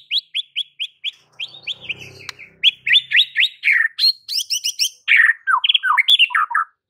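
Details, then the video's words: White-rumped shama song meant to enrage rival birds: rapid repeated whistled notes, shifting into varied high chirps and descending slurred whistles in a dense continuous stream. "PANCINGAN Murai Batu yang bikin lawan Langsung NGAMUK & EMOSI TINGGI seketika"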